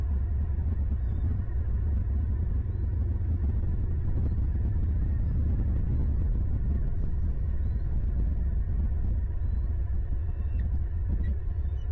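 Steady low wind rumble with no animal calls heard.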